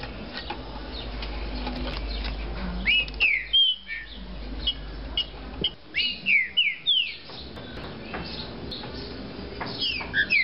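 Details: Caged Green-winged saltator, a spirited 'de fibra' singer, delivering rapid series of bright downward-sweeping whistles in bursts of four to six notes, pausing between bursts, with a low steady hum throughout.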